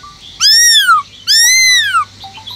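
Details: Two loud, rich, ringing whistles from a caged Black-throated laughingthrush singing in wild-voice style (giọng rừng), each arching up and then sliding down, about a second apart.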